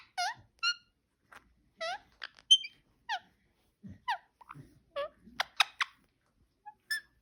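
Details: Pet parakeet giving scattered short squeaky chirps and clicks separated by brief quiet gaps, a louder cluster of sharp notes just after five seconds, otherwise quiet room.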